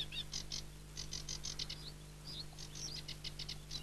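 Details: Aquatic warbler in song, delivering rapid bursts of harsh buzzy notes, short gaps, then a few slurred whistled notes before more rattling; a steady low mechanical hum underlies the recording.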